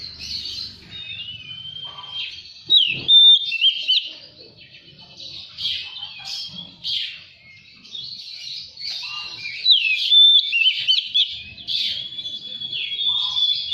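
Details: Oriental magpie-robin lure song, played to prompt untrained birds to sing and fan their tails: a rich run of clear whistles, sliding notes and scratchy phrases, fast and varied, with long pure whistled notes near the end.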